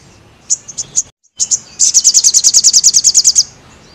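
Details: Crested jay in full song for bird training: several spaced high chips, a brief dropout, then a quick rattle of about eighteen piercing high pulses lasting under two seconds.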